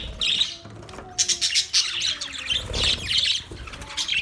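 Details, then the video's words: Australian budgerigars chattering in a group, bursts of scratchy high chirps and short warbles in clustered runs, some quieter gaps between bursts, with faint low tonal hums beneath. "Budgies Parakeet Birds Chirping sounds Big sound of Australian Budgies parrot"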